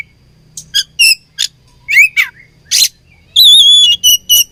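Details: Oriental magpie-robin in a fight, singing: short chips and buzzy bursts, a wavering slurred whistle, then a long, steady, clear whistle followed by quick chirps, with low hum beneath.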